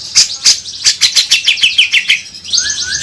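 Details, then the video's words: Lure song of a cucak jenggot (grey-cheeked bulbul): a fast run of about a dozen sharp, scratchy notes falling slightly in pitch, ending with a soft rising whistle. "Pancingan agar cucak jenggot gacor"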